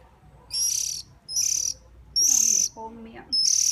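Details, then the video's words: Hungry bird begging while being hand-fed: four loud, shrill, high-pitched bursts, each about half a second long, with faint lower-pitched rustling between them. "Hungry bird"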